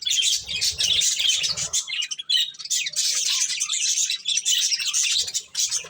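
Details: Several pet budgerigars chirping while eating corn; dense overlapping high chirps and warbling chatter almost without pause, with a brief lull near two seconds and faint low clicks and rustling in the background.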